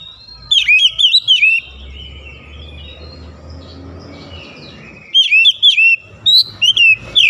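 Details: Oriental magpie-robin in morning sunlight, sweeping whistled notes and rapid chirping phrases in two bursts, with a quieter gap between them filled by a soft low hum.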